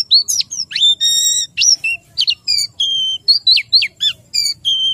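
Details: Captive white-eye low in breeding condition, singing a loud, high, varied song of sharp whistled slurs and rising and falling notes, with short pauses between phrases.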